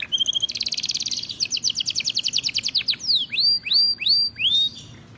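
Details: Male canary song: a brief whistle, then a long quick trill slowing into pulsed notes, followed by four loud downslurred-then-rising whistled phrases spaced about half a second apart.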